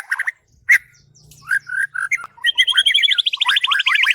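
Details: White-rumped shama (murai batu) master song for training birds: varied loud whistled phrases and sharp notes, ending in a rapid rattling run of repeated high notes; faint low hum midway.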